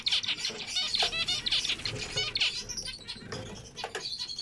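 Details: Zebra finch singing a fast string of buzzy, nasal syllables and bright high chirps, roughly one note a second, with softer twitters trailing off toward the end.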